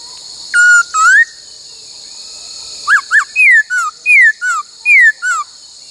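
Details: Laughingthrush singing during song training, drilled to mimic the 'bắt cô trói cột' phrase: two clear whistled notes, one level and one rising, a pause, then six falling whistled slurs in pairs, over a steady high hiss.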